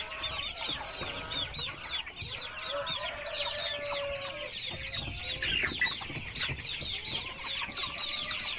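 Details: Baby chickens peeping nonstop as a crowded flock, high curved chirps tumbling over one another, one louder chirp standing out midway, a held flat tone early on and soft low knocks behind.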